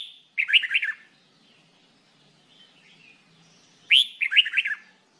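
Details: Singing-training recording of a jambul bulbul, or red-whiskered bulbul: two bouncy warbled phrases of several rapid notes each, the second starting with a bright upward note, separated by a quiet pause of about three seconds.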